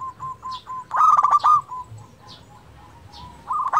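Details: Local zebra dove singing steadily to stimulate silent birds: short soft coos repeat quickly, then a loud buzzy trilled phrase, a pause of gentle cooing with faint high chirps, and another loud trill beginning at the end.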